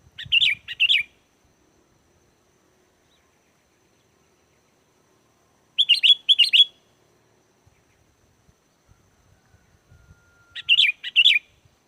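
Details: Luring song of a sooty-headed bulbul for calling in wild bulbuls: three short bright, gurgling phrases of several rapid notes, spaced roughly five seconds apart, in otherwise quiet surroundings.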